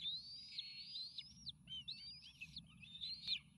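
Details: Bald eagle eaglets, nearly fledging triplets on a nest watched by an eagle cam, excited as food arrives, May 29 2018; high squealing whistled calls, drawn out and wavering, in three bursts over low steady background hum.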